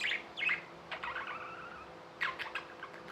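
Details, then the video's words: Budgerigars kept as pets giving bright chirps, then a softer warbling passage and a few more sharp chirps, low hum in the background. "Budgies | Talking | Singing | Chirping sounds"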